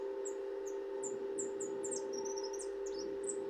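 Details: A white (pale) European goldfinch, captured in June near Pipinas, Buenos Aires, practises its ringing repique phrase: thin, very high slurred notes in quick succession, several each second, over a steady low mechanical hum.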